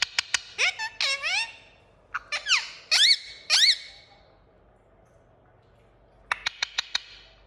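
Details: Indian ringneck parakeet chirping: sharp high squeaks and upward-hooked chirps in short bursts, a pause of silence, then a quick series of clipped clicks.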